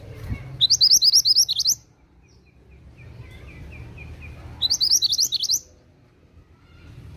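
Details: Mantenan gunung song used for luring or training songbirds: two fast runs of high, bright, hooked chirps, each about a second long, with a soft string of fainter lower notes between them and a low hum behind.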